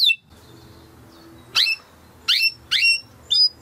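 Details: Timbrado canary, domestic song canary, singing in a training recording: four short, bright, downward-swept chirps spaced by pauses over a faint low background hum.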